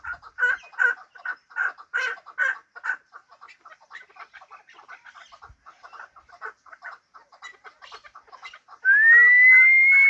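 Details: Chukar partridge, hybrid fighting bird, delivering a long run of hoarse chuk notes, loud at first and then softer and quicker, before a sustained, slightly rising whistle in the last seconds.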